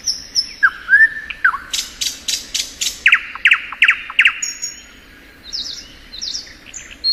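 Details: Thrush nightingale singing in spring: a rising whistled slur, then a burst of loud, sharp clicking notes repeated in quick succession, followed by a pause and high thin whistles.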